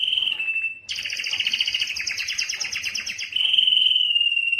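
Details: Singing canary: a level whistled tone, then a dense fast trill with stacked harmonics for over two seconds, followed by a sustained, slightly wavering whistle.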